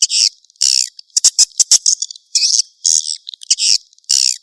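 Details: Swiftlet chick calls used as a lure: short buzzy, high-pitched chirping bursts, about ten in four and a half seconds, separated by brief silences.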